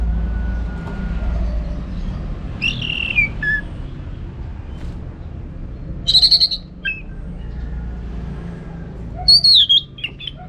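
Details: Orange-headed thrush, a contest bird, used as a training recording for song contests: a few scattered whistled phrases, some sliding downward, separated by pauses over low steady background hum.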